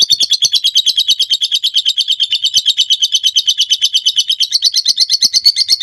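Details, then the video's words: Lovebird giving a long ngekek trill, recorded as a master track for training birds: a continuous rapid chatter of high, harsh notes pulsing about three times per second, steady and unbroken throughout. "Suara masteran burung lovebird ngekek panjang"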